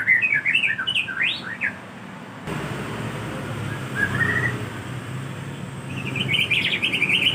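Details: White-rumped shama song played as a lure to get other shamas to answer: a quick burst of varied, warbled whistles and chirps, then a rush of hissing background noise with a soft whistled phrase and faint high notes returning near the end.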